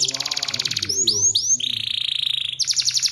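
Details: Energetic 'gacor' canary song in 'cengkok mewah' style: a high trill gives way to three slurred swooping whistles, then a lower, even buzzing rattle, ending in a fresh burst of rapid bright trilling.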